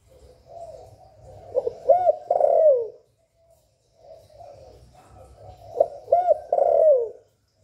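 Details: Spotted dove cooing in the calling, urging and cooing styles used to stir other kept doves, recorded directly without background noise; two mid-pitched cooing phrases about four seconds apart, each building through soft notes to a bright, bending final coo.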